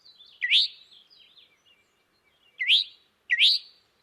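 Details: Northern Mockingbird song, a species that repeats each note five or six times: a bright, sharply rising note repeated three times at uneven intervals, with faint softer twitters between. No other sounds.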